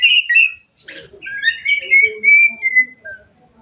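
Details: Song of an Asian pied myna, an active singer whose varied performance is meant to spur other mynas: mellow wavering whistles and gliding notes, broken by a brief harsh rasp, trailing off softly.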